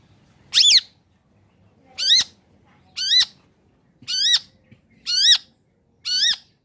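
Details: Long-tailed shrike, an energetic singer in a combination lure recording meant to prompt reluctant shrikes to sing: six harsh, nasal squawks with bent, rising-falling tops, spaced roughly a second apart over a quiet background.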